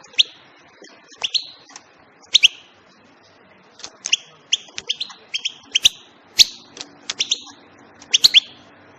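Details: European goldfinch song: rapid bright twittering notes with sharp clicks and short buzzy trills, delivered in bursts of several notes separated by brief pauses, clean background with a faint low hum.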